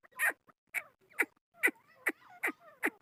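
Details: Chukar partridge (Alectoris chukar), call.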